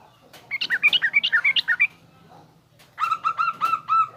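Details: Yellow-vented bulbul song in garuda and rough ngriwik styles, played as tutoring for young bulbuls learning to sing: a quick run of bright chirped notes, a short pause, then a series of evenly repeated slurred notes.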